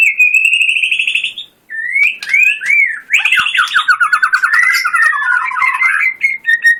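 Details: White-rumped shama in 'tembakan' contest song: a rising buzzy trill, a short gap, looping whistles, then a fast, dense rattling chatter of mixed notes.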